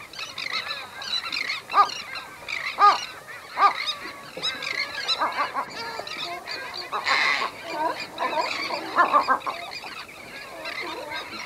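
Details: A Western gull pair at their nest gives low-intensity anxiety calls: short, harsh honking notes spaced about a second apart, with a busy chatter of terns behind them.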